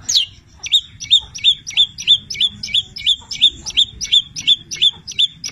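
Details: Long-tailed shrike singing with imitated labet and canary notes: a quick series of identical short whistles, each a sharp downward flick, repeated about three times per second.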